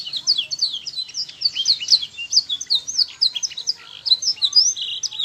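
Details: Master song of a canary for tutoring young birds so they start singing sooner: a fast, continuous run of sharp, high whistled notes, mostly quick downward slurs repeated in tight bursts, ending with a few longer rising whistles.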